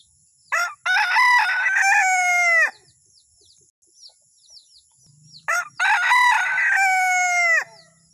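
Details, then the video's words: Male junglefowl from Sulawesi crowing, a call used as a lure: two loud, harsh crows, each opening with a short stuttered note, then a strong drawn-out phrase that falls at the end, separated by a quiet gap, with a steady high whine behind. "SUARA PIKAT AYAM HUTAN // SUARA AYAM HUTAN JANTAN ORI / SUARA MERDU AYAM HUTAN / AYAM HUTAN SULAWESI"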